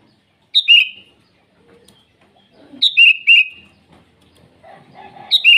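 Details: Sooty-headed bulbul singing vigorously in the morning to call rivals: three rippling descending phrases, with softer low chattering and a brief lower warble between them.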